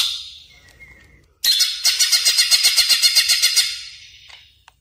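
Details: Lure sound of a Greater green leafbird for luring and training birds: a fading high chatter and a short whistle, then a loud harsh buzzy series of pulsed notes, about four per second, that dies away.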